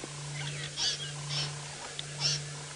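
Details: Buffalo weavers nesting in the same tree as a Wahlberg's eagle give three harsh, scratchy squawks about half a second apart, over a steady low engine hum, during a sunset safari drive in Sabi Sand, South Africa, December 29, 2017.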